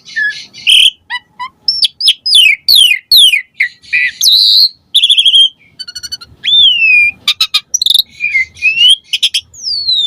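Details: Asian pied starling singing a long, varied, mimicry-packed song used as a lure for captive starlings: slurred whistles, a buzzy trill, sweeping down-slurred whistles and sharp high squeaks in rapid succession.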